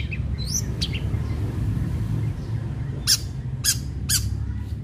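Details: Long-tailed shrike in sharp lure song aimed at getting other shrikes singing: a few quick rising whistled notes, a pause, then three loud harsh rasping bursts about half a second apart, over low-frequency rumble.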